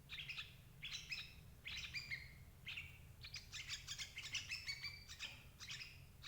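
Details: Lure sound of the sooty-headed bulbul for trapping adult birds: slurred chirps with level tails in separate bursts, then a faster, denser run of bubbly notes in the second half; soft low hum beneath.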